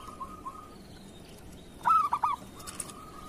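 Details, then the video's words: A local zebra dove of the kerot song style, recorded as a master to stimulate other doves: soft trilled coos, then one loud, stuttering phrase of three rising and falling coos, with quieter trilling after. "Suara perkutut lokal masteran perkutut kerot"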